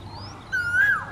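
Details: Male Asian koel giving a single clear whistled note that swells and rises before dropping at the end, with a faint higher bird note just before it.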